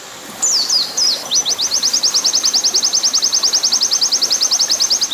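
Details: Oriental white-eye 'nembak panjang' training song over a water-sound bed: after a short quiet start, several descending slurred whistles lead into a long, rapid run of high, sharp repeated notes at about eight a second.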